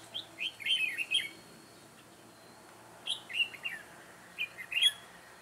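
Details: Red-whiskered bulbul decoy singing in a trap set to lure wild bulbuls, June 2017; short bursts of bright warbled phrases high in pitch, three-note groups near the start and end with a pause between, against soft background hiss.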